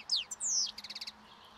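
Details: A wild European goldfinch feeding on last year's thistle seeds by a roadside as spring nears, in breeding song, gives a quick, high phrase: a few sweeping, slurred whistles, then a fast run of about eight bright, liquid notes.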